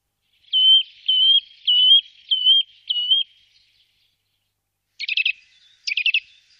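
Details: Eurasian nuthatch giving five clear whistled notes about half a second apart, each with a slight upward kink. After a pause come two short, rapid, stuttering trill bursts. The background is quiet.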